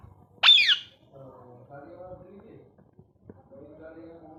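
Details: Ringneck parrot kept as a pet lets out one sharp, loud descending screech, then quieter low murmuring, talk-like sounds trail off in a small room.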